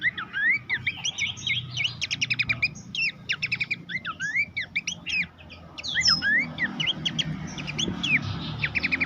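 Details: Horsfield's babbler singing, used to tutor songbirds for competitions; rapid varied phrases of rising whistles and clicky trills, a short quieter pause midway, then more chatter with soft background rumble.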